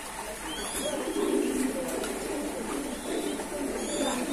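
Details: Pigeons in a keeper's loft coo quietly, with low murmuring phrases that swell and fade, partly blurred by background hiss and faint distant chirping.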